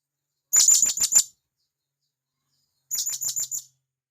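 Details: Two rapid series of five shrill, high, clipped notes from a wild blue-crowned hanging parrot calling companions in the forest, the second series softer, with a faint low hum beneath it.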